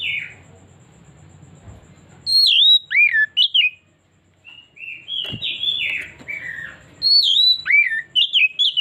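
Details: Oriental magpie-robin (kacer) in a lure recording meant to draw out its full repertoire: loud, varied whistled phrases with sweeping, slurred notes, some rising and some falling, delivered in bursts separated by short pauses, with a low hum early on.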